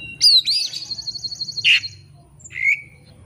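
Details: Oriental magpie-robin (kacer) singing as a lure to provoke a rival: a bright upslurred whistle, then a fast buzzy rattle held for about a second, a harsh burst and a short rising whistle.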